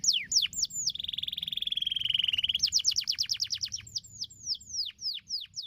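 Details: Canary, used as singing therapy for other canaries: a few falling whistles, a sustained buzzy rolling trill for over a second, then quick repeated chips and spaced descending whistled notes.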